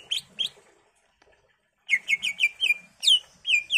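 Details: Song of a greater green leafbird with varied phrases, used as a lure to make other leafbirds reply: two sharp chirps, a pause, then a fast string of bright, descending and rising whistled notes.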